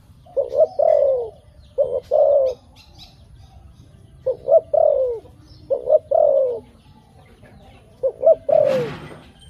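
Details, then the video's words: Dove giving five spaced phrases, each of two quick short coos and then a longer, drawn-out descending coo, roughly every two seconds, ending with a brief noisy rustle over a low background rumble. "Good sound dove.Bunyi merpati yang bagus"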